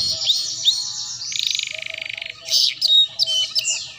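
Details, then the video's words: Canary singing for young canaries learning ngeriwik: a few high whistled notes, then a long buzzy rolling trill of about a second, followed by loud sharp chirps and whistles. "Suara PANCINGAN Kenari Paud Belajar Bunyi Ngeriwik || Masteran Kenari Paud"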